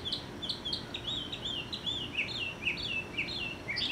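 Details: Mockingbird serenading from high in a tree some 50 yards off in a yard; quick repeated high whistled notes, each bending down then up, delivered in a rapid continuous string over light background hum.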